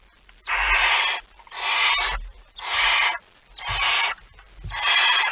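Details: Five evenly spaced rasping hisses, about one per second, come from a barn owl at a nest with prey on 23 September 2019, accompanied by faint low bumping noises.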